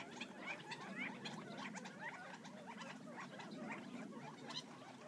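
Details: Gambel's quail, wild birds foraging just outside Florence, Arizona, keep up a busy murmur of short upslurred chirps, a few louder, over constant scratchy patter.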